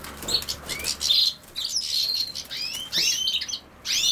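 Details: European goldfinch around common sow-thistle: a few quick, tinkling chirps and short upswept twitters come in separate bursts, with brief pauses and light background hiss.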